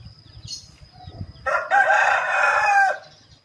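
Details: A male laughing chicken (Ayam Ketawa) being trained for long, continuous crowing lets out one loud sustained harmonic crow of about a second and a half after low murmuring, with a constant thin high tone in the background.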